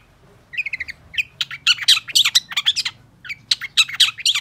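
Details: Long-tailed shrike song used as a lure to prompt silent shrikes to sing: after half a second of quiet, bursts of sharp, scratchy chattering notes follow in quick clusters with brief pauses, over a faint low hum.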